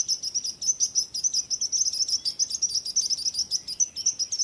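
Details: Birds singing: a steady run of high, thin chirps, about five per second, forming a continuous bright trill over faint low background hiss.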